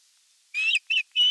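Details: On 30 June 2022 a nest camera caught an osprey calling during evening feeding: loud, high piping whistles, a drawn-out rising note and then two shorter ones in close succession.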